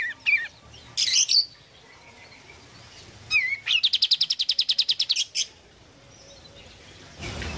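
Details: Oriental white-eye singing lively, used to prompt a silent bird to sing again: a few high slurred chirps, a bright burst, then a fast even trill of about fifteen high notes, ending with a hissy noise.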